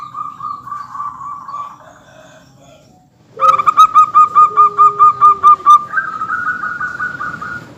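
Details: Local zebra dove, an active singer, on a recording played to get other birds calling: soft wavering tones, a pause, then a loud run of about a dozen clipped ringing notes over a low held note, ending in a higher drawn-out tone.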